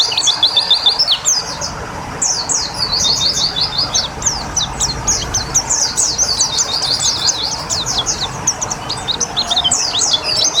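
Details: White-eye given water therapy to make it sing: long stretches of fast, high, scratchy chirps in dense bursts, with continuous water noise in the background.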